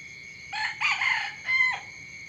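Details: Rooster crowing in the morning: a loud, hoarse crow in three sections, a short opening note, a longer wavering middle and a brief falling end, over a steady high insect drone.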